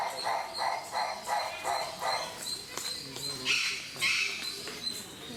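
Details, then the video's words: A rare Livingstone's turaco at Mysore Zoo gives a series of hoarse, barking notes, about three per second, fading into rougher calls, with crowd noise and voices behind. "Call Of Rare Livingstone's Turaco"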